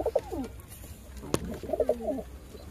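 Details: Kept pigeons, a flock that lost all its chicks to pox, give low throaty coos in two bursts, with a sharp knock between them against a quiet indoor background.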